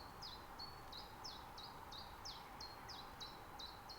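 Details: Common chiffchaff recorded mid-spring in an Estonian nature reserve with a Zoom F6 and Sennheiser MKH 8040: clipped, high notes alternate between two pitches about three times a second throughout, over faint low background hiss.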